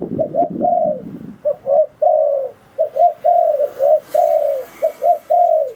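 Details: Spotted dove lure call for decoying wild doves into traps; a steady run of short and drawn-out coos, several phrases of two to three notes, mostly clean with some low rumble at the start.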